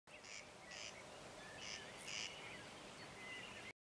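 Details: Corn crake near Považská Bystrica, Slovakia, giving dry, rasping double notes, crex-crex, repeated about every half second, over a steady hiss with faint thin whistles from other birds.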